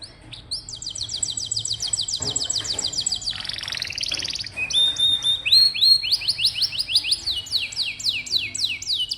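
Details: Canary song played as a master recording to prompt young or rarely singing canaries: rapid high buzzy trills of repeated down-slurred notes, a rattling passage midway, then sharp whistled notes and quick descending slurs.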